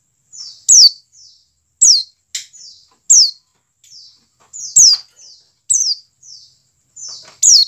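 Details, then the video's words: Calls of a dakun white-eye, used to trigger singing in captive birds: rapid run of high, downward-sweeping notes, about nine loud ones in under eight seconds, each shadowed by a faint softer slur, one short harsh note. "CALL PLECI DAKUN cepat menjadikan pleci buka paruh."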